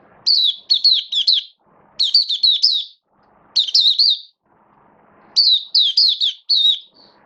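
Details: A kept Oriental white-eye being built up into singing form gives high, rapid twittering phrases of three or four quick wavering notes, repeated about every second, with faint low rustling between bursts.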